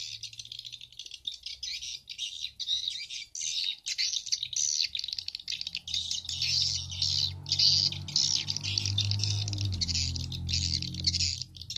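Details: Edible-nest swiftlet lure sound for swiftlet farmers, stereo version combining the SP Bulan Madu and SP Black Phoenix styles, played through an amplifier indoors: dense, high, rapid twittering chirps in continuous bursts, with a low hum underneath in the second half.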